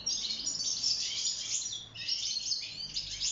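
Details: Wild-caught European goldfinch in a cage, singing while mating and nest building; bright, fast twittering phrases of high liquid notes and buzzy trills run almost without pause.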